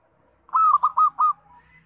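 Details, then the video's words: Loud local zebra dove, kept as a trapping lure, gives one phrase of four rolling, mellow coos, the opening note longest, followed by a faint rising whistle from another bird. "Suara Perkutut Lokal Kencang, Bagus Buat Pikat dan Pancingan"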